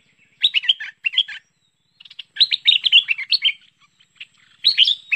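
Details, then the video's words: From a 2021 lure recording of a bulbul called merbah pet pet or lekir: two quick chattering phrases, a pause, then a longer tumbling string of liquid notes and a final brief burst. "SUARA MEMIKAT BURUNG MERBAH PET PET (LEKIR)"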